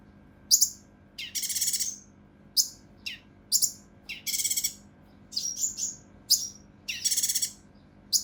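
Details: Mountain leaf warbler (cucak rante mas) recorded to tutor competition birds, singing rough dense phrases: quick sharp high notes, swooping downslurred whistles and loud buzzy rattles in rapid, uneven alternation.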